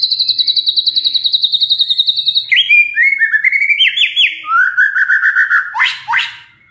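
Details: White-rumped shama song used as a lure to prompt other shamas to answer: a fast trill of rapidly repeated high notes for over two seconds, then varied slurred whistled phrases dropping in pitch, ending with sharp sweeping notes.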